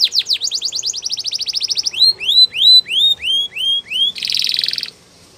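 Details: Belgian canary song opening with a very fast run of high sweeping notes, slowing into a series of clear rising whistles about two per second, ending in a short buzzy rattle before stopping.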